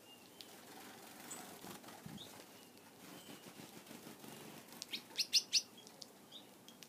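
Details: Gouldian finches near their keeper at feeding time with a favorite food, mostly fluttering wings and rustling, then a quick cluster of three or four sharp, high chirps late on.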